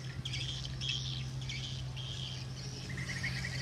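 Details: Returning swiftlets at the roost give sharp high chirps and short buzzy twitters in quick bursts, with a steady low droning hum running beneath them.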